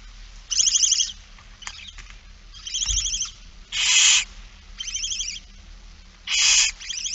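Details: Rasping hisses from a barn owl begging at feeding time, 8 September 2019, 16:02, repeated irregularly, some louder and more strident, with faint ticks between them.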